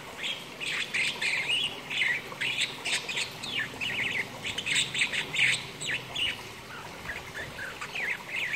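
A budgerigar warbles continuously with rapid chirps, clicks and squeaky whistles.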